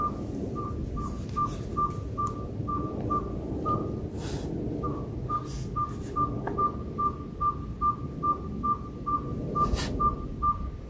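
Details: Presumed owl, unidentified, calling outside a house for about a week: a long, steady series of about two dozen short whistled toots on one pitch, around two per second, with occasional hissing bursts.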